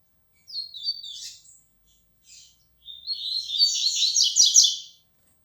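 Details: A young 'flecha negra' Double-collared Seedeater, a contest-song bird, gaining firmness in its song: a short twittered phrase, a brief pause and faint note, then a longer, louder, rapidly trilled high warble.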